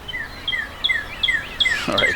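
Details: A Northern Cardinal singing in the countryside by the old train station in Annville, Pennsylvania gives a quick series of clear whistled notes slurring downward, about three a second, over a low rumble of road noise.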